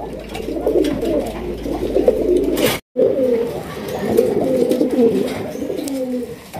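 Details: Domestic pigeons of the Raj Golla breed, a pair in Bangladesh, coo in low, rolling, throaty phrases, repeated steadily with a brief break.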